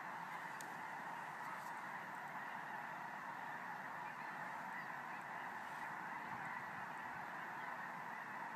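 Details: Thousands of geese flying overhead at night honk together in a dense, unbroken chorus of overlapping nasal calls, with no other clear sounds.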